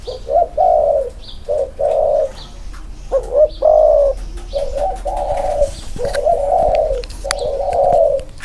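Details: Spotted doves, two birds set side by side, perform inner-circle cooing. Steady low coos come in evenly spaced blocks, with one wavering, swelling note near the middle. Occasional faint high chirps and clicks are heard.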